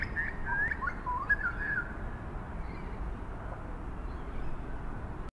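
A Grey butcherbird gives a short burst of rich, fluting whistled notes in the first two seconds, over a steady low rumble of wind or distant traffic.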